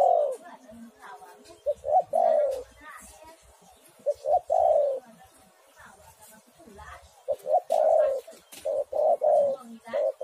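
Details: Spotted dove cooing played as a lure to prompt a dove to sing: soft, throaty coo phrases in irregular bursts, some notes doubled, with quiet background voices and faint chirps between phrases.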